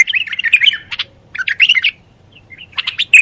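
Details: A bulbul delivers short, lively warbling phrases of quick chirps and slurred notes, separated by brief silences of about half a second. There are three main bursts, with faint background hum.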